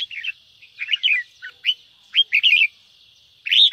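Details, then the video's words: Red-whiskered bulbul song in the ché style, played to prompt other bulbuls to sing: short bright warbled phrases, several quick notes each, separated by pauses of about half a second. "Kích chào mào ché/Chào mào hót kích ché cực nhạy/Kích bổi nhanh ra âm"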